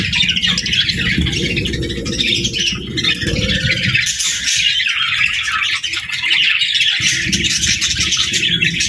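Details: Several budgerigars keep up a busy, bright chatter of squeaky chirps and warbles, with a low rumbling background underneath.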